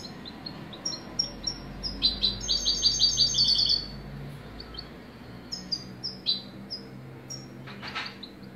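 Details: European goldfinch giving a short burst of rapid, jingling twitter, then scattered single chirps and tweets spaced through the rest; faint low background hum.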